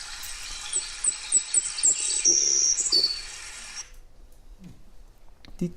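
Savannah Sparrow: a few thin, very high chips, then a sizzling high buzz and a lower closing note, over a steady hiss of room noise.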